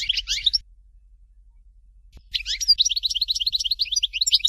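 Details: European goldfinch Dalya song, "Fort de L'eau" style: a short twittering burst, a pause, then a long run of quick, high, chattering and trilled notes.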